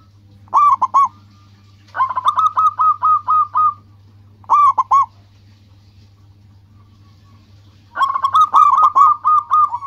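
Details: Local zebra dove singing as a lure for other birds: alternating short double coos and longer trains of evenly spaced, pulsing notes, repeated several times, over a constant low hum.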